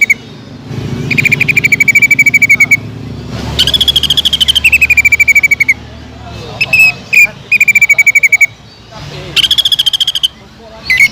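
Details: Greater green leafbird singing hard, aimed at luring other leafbirds into song: long, fast rattling trills at one steady pitch, a higher trill sliding down, and short clipped chips between bursts.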